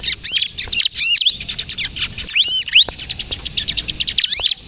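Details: Energetic ciblek kristal, or bar-winged prinia, giving kejepit song used for luring and prompting untrained birds: high sweeping arched notes in short bursts, with fast buzzy twitter between them.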